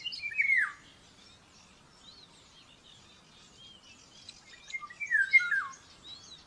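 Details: Common buzzard chick at a nest in Tiszalök, Hungary, on 5 May 2024, aggressive during breakfast feeding: two descending, slurred high mewing calls a few seconds apart, over faint high twittering of other birds.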